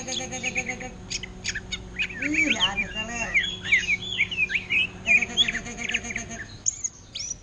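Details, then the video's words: Caged greater green leafbird delivering orange-headed-thrush-style song: rapid clusters of sharp chirps and bright downward-slurred whistles, loud and repeated in quick bursts, with a low wavy hum underneath. "Cucak Ijo Ngentrok Gaya Anis Merah"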